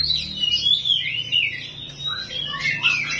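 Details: Oriental magpie-robin (kacer rawit) sings a slurred series of high whistles and scratchy warbles over a low background hum.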